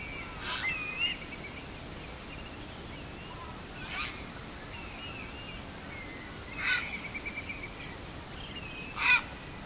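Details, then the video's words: Grey heron, tentatively identified, gives harsh, hoarse moving "gyau" squawks near the end, an hour before dawn on 18 April 2018 at Higashiyoka tidal flat, Saga, amid thin wavering whistles of spring-migrating shorebirds. "終盤で「ギャゥ ギャゥ」の移動する声はアオサギかと思います。"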